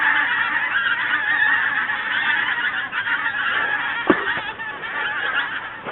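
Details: Geese migrating south with winter coming, a large flock honking continuously in a dense overlapping chorus, one sharp louder call standing out near the middle and the din fading slightly at the close.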